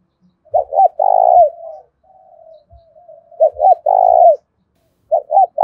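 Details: Spotted dove decoy in 'thổ pha' voice, fighting call to provoke rivals: loud phrases roughly every three seconds, each two quick coos and a long rolling coo, with a quiet, drawn-out coo between the first two.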